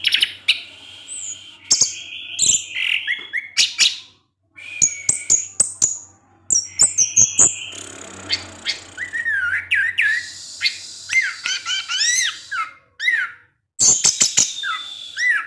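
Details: Orange-headed thrush in 'ngecip ngecis teler' song, kept bird: a long, dense medley of chirps, whistled slides and rapid repeated notes, with occasional sharp clicks and a low hum.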